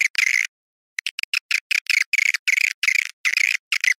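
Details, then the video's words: Swiftlet calls in the Awan hitam style: a short burst, a pause, then a run of clipped, raspy chirps repeated about three times a second, sharply cut with clean silence between. "SUARA WALET Awan hitam"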